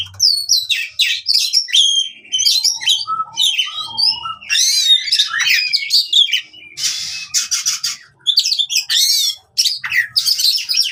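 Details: Fighting song of an oriental magpie-robin, aimed at birds that have stopped singing: bursts of rapid chirps, buzzes and swooping whistles separated by brief gaps, some short lower notes between.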